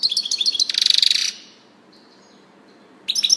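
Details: Quick high twittering from a European goldfinch leads into a harsh buzzy rattle. A faint thin whistle follows during a quiet stretch, then the bright chattering resumes.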